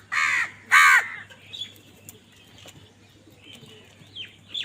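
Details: Crows fighting for food give two loud, rasping caws back to back at the start, then fall quiet while thin high chirps of other birds continue over a low hum.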